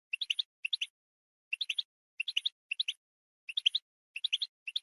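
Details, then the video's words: Goldfinch chirping as stimulation for other goldfinches, twittering in quick clusters of three or four bright, high tinkling notes about every half second against a silent background. "Support the goldfinch with stimulation"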